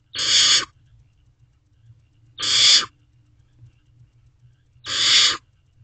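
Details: Sibling barn owl owlets, one grooming the other while waiting for a food delivery in a nest box, May 2023 at midnight; three evenly spaced, breathy hissing screeches, about two and a half seconds apart.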